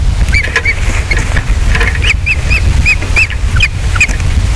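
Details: Osprey pair, male and female, at their nest on Captiva during the first mating of the day, 12 December 2021, picked up by a nest camera: a run of sharp, high, arched chirps repeated in uneven bursts over a heavy low wind rumble.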